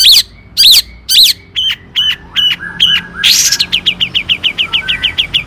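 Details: Long-tailed shrike singing in full voice as a lure for other shrikes: loud, squeaky bent notes, then a slurred downward phrase repeated quickly, ending in a fast run of short chirps.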